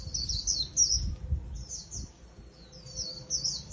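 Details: Song of a wild-caught Japanese white-eye kept in a cage: quick, high, sweet twitters in short bursts with gaps between, over a quiet low hum.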